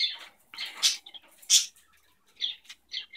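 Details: Two pet cockatiels settling into a morning routine indoors, producing quiet, scratchy chirps and twitters at irregular intervals.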